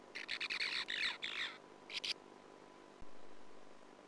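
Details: Nest-hole Sand martins recorded by a nestcam in 2009 during a persistent intruding female's attacks on the first brood; a rapid run of harsh, scratchy chirps, a short second burst, then a dull knock.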